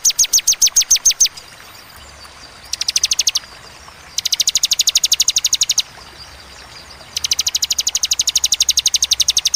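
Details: Bar-winged prinia singing in "tembakan" style: repeated bursts of very fast, high clipped notes, some runs short and some long, separated by brief pauses, over low background hiss.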